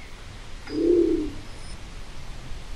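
A Nicobar pigeon gives a single low, soft, hollow note lasting about half a second, over faint background hiss.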